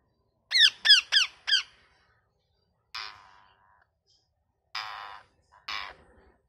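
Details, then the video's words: Parrot chirping: a quick run of four clear, ringing chirps that rise and fall, then a pause before three harsh, raspy squawks spaced about a second apart, with a quiet background. "Parrot Chirping Sounds"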